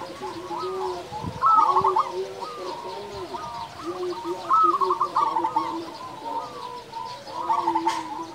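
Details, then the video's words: Several local zebra doves singing as a training lure for other doves: bright trilled phrases recur roughly every three seconds over a continuous lower cooing chorus. "perkutut lokal gacor suara besar"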